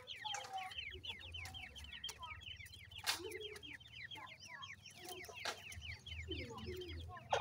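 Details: Iranian partridge, locally called irani teetar, feeding its brown chicks; a dense, continuous chorus of high, rapid down-slurred peeps from the young, with scattered lower clucking notes underneath.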